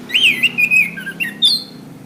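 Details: Song of an orange-headed thrush, for training caged birds: a wavering whistle that swoops up, then a string of sliding fluty notes, a lower dip and a high whistled finish.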